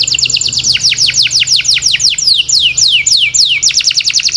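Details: Singing canary: a rapid, steady stream of high, clear notes, each sliding steeply downward, repeated many times a second in rolling phrases, with a faint low hum beneath.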